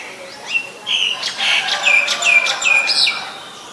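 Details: Female Asian koel calling: a quick series of about six shrill, sharp notes, each sliding slightly downward, repeated roughly every third of a second over quiet background.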